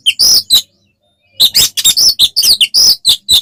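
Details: Oriental magpie-robin performing fighting-style ngeplong song to provoke other birds. Two loud whistled phrases, a short silence, then a quick sequence of sharp, varied whistles and harsh notes.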